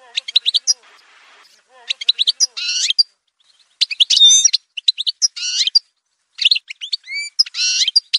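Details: Algerian goldfinch in an edited song montage, giving short broken phrases of sharp chirps and harsh buzzy notes with gaps of quiet between them.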